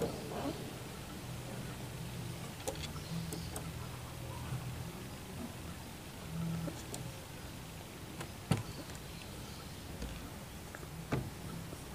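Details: No animal is heard, only low hum, faint vehicle-like rumble and scattered clicks.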